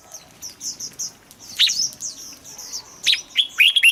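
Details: Red-whiskered bulbul song played to rouse kept birds into singing; short bright whistled notes rising and falling, with sharp chirped phrases in clusters near the end and faint twittering behind.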